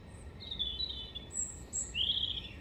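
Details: European robin in song at Hengelo, 5 May 2018: short, high, thin whistles and slurred notes, ending in a louder sweeping trill, against a faint low hum.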